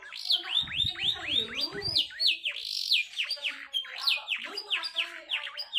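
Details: Canary song in a fast, tightly packed style with unique phrasing, used to coax reluctant canaries into singing: rapid repeated down-slurred whistled notes, about four per second, with faint lower warbling underneath.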